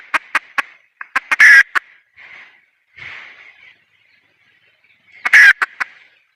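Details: Red junglefowl hen giving repeated clucks and two harsh, rasping bursts separated by softer, muffled calls. The pattern of cluck runs and squawks recurs across the stretch.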